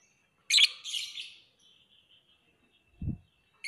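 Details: Shrill lovebird chirp, then a buzzy twitter that fades into a thin trailing note, a low knock, and another sharp chirp at the end.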